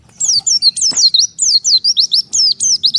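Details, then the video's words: Oriental white-eye away from its flock, calling to the others: about a dozen bright, thin notes, each sweeping down then up, delivered quickly and steadily. "BURUNG PLECI MEMANGGIL LAWAN TERPISAH DARI KOLONI"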